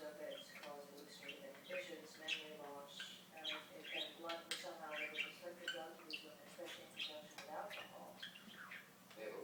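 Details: Indoor pet budgerigar mimicking speech: a steady stream of fast, nasal, syllable-like warbles with scattered high ticks, roughly two phrases each second, no pauses.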